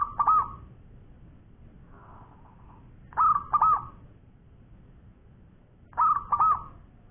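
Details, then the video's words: Champion local zebra dove in full, active long-voiced singing, giving three evenly spaced cooing phrases roughly every three seconds. Each phrase is a pair of mellow, slightly quavering notes, with faint low rumble behind. "Bunyi Perkutut Lokal Gacor Suara Panjang Juara"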